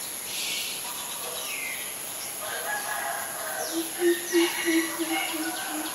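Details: Greater Coucal, a very common resident bird, at Ubon Ratchathani, Thailand, on May 22, 2022: a quick run of about seven deep, hollow hoots in a level series, with a rooster crowing and higher bird chirps earlier.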